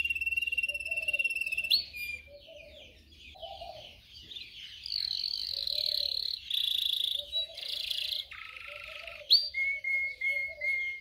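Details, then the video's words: Canary song for training canaries: a sustained high trill, then long buzzy rolls and a deep drawn-out tone, ending with sharp rising notes and short flat whistles, with soft low gurgles between. "Canary training 0.25 Hour canario canary song"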